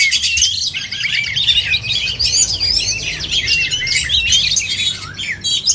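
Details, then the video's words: Oriental magpie-robins at a songbird contest: energetic overlapping song of quick whistles, curled notes and chattering runs, loud and continuous, over a low murmur of background noise. "LOMBA KICAU MANIA BURUNG KACER"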